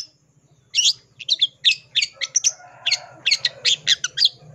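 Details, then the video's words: Long-tailed shrike, a caged songbird that had gone silent, singing a full varied song: after a quiet start, a rapid series of harsh, scratchy high notes and chirps in irregular bursts. "Cendet macet bisu jadi PANAS NYAUT dan ikutan BONGKAR ISIAN FULL ISIAN GACOR"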